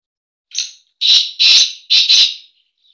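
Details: Black francolin, known locally as kala teetar, giving its breeding call: one short grating note, then four loud harsh rasping notes in two quick pairs over about two seconds, with nothing else heard.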